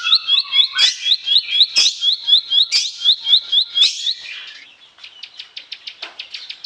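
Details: Bar-winged prinia filler song used to lure silent or sluggish birds into singing. It has quick hooked chirps, about four a second, with a few louder bursts, then a softer, faster run of clipped ticking notes.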